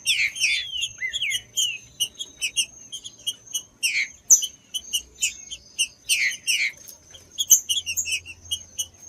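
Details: Stimulating song of a green-winged saltator: several short groups of bright slurred whistles, the first dropping in pitch, separated by quick high ticks and chirps, with a faint steady whine throughout.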